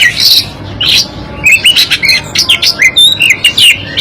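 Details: Black-breasted Oriental magpie-robin of East Java, a local Javan form, singing: loud varied bursts of whistled and squeaky notes, rising and falling sweeps packed closely together, with faint background hum.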